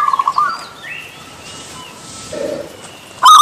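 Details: Zebra dove (Javan perkutut), used as a therapy sound for a bird that won't sing: a quick run of soft, staccato cooing notes, then faint high whistles from other birds and a sudden loud noise at the end.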